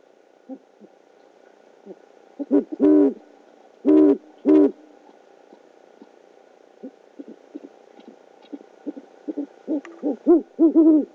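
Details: Male great horned owl bringing prey to his mate at a nest camera in Oklahoma City, 12 February 2013 near 9:30 PM: scattered soft notes, three loud drawn calls, then bursts of rapid hoarse notes rising in volume.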